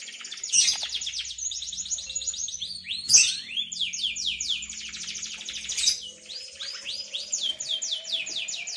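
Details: Tutor song of a canary for three-month-old young birds learning long ngriwik singing: successive bright trilled phrases of quick rising sweeps, changing every second or two, with a few sharp accented notes.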